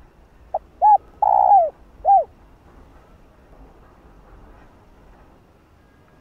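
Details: Spotted dove giving one cooing phrase to excite other doves: a soft pip, an arched coo, a long descending coo and a final arched coo, then a long pause.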